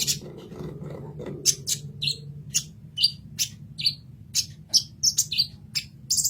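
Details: Sunbird known locally as kolibri ninja in a masteran recording: a series of sharp, high, clipped chirps spaced irregularly about every half second, some with a downward-slurred twist, over a faint low hum.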